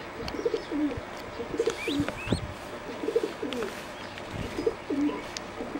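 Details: Singing zebra dove of a bred competition line, preening, gives rapid rolling cooing phrases of short trilled notes repeated about every second, with high thin chirps from other small birds behind.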